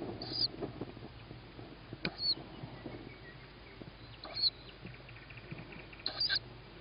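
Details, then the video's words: Owlet of the tawny owl calling for food on 21 May 2017 at 21:38 while its mother feeds a sibling on a roof. Four brief, breathy screeches roughly every two seconds, fairly soft, with faint background noise. "Tawny Owl-Small hears Mom,first food for sib on roof,then feeding"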